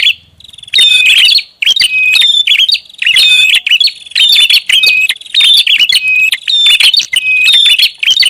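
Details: Noisy prinia lure recording. After a quiet start, an almost unbroken stream of sharp, rapid chirps and high thin whistles keeps a restless, chattering rhythm.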